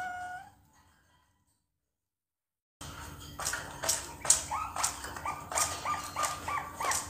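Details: Two-month-old Bangkok-type zebra dove chick, kept at a bird farm, practising its song: a faint falling tonal note, a brief gap, then short mellow notes repeated about twice a second over sharp clicks and background hum.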